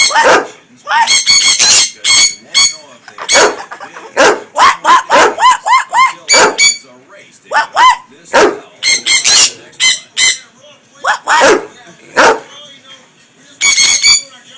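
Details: Pet sun conures and a green-cheeked conure make noise: a long run of loud grating shrieks and squawks, some bursts doubled or tripled, broken by short pauses and repeated "what" chatter.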